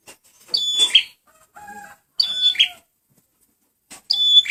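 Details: Male prenjak merah, or red prinia, in a lure recording: three loud bursts of piercing whistles ending in rasping buzzes, with a lower steady tonal whistle between the first two bursts.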